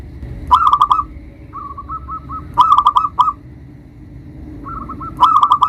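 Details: Local zebra dove with a big voice, used as a lure to call and provoke rivals: three bursts of fast trilled cooing notes, each about half a second long, with sharp clicks and softer single notes between bursts.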